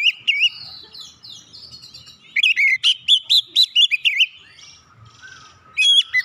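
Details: Song of an Oriental magpie-robin, used to provoke rival birds into singing. Soft warbling opens it, then a loud run of about eight sharp, swooping whistled notes, and finally a closing short phrase.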